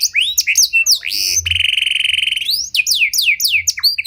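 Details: Canary of Panda type singing as a lure for training other canaries: varied curling whistles and chips, a low rolling buzzy trill, then quick descending whistled notes.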